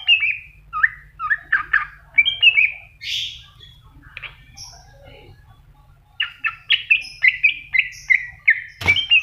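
Greater green leafbird song: rapid, varied phrases of sweet whistles and chattering notes, mostly high-pitched, with a brief pause mid-way and a sharp click near the end.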